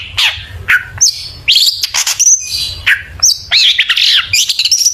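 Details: Gacor Long-tailed shrike song, packed with isian filler phrases and used as a lure to prompt shrikes to sing: rapid, nearly nonstop mix of harsh squawks, sliding whistles and high twittering phrases over a faint low hum.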